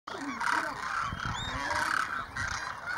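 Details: About 2,500 demoiselle cranes at Keechan, Rajasthan, India, in January 2016, flying overhead and coming in to drink at a small lake where they roost overnight. They call in a dense chorus of hoarse, rolling trumpeting notes; a faint human voice underneath.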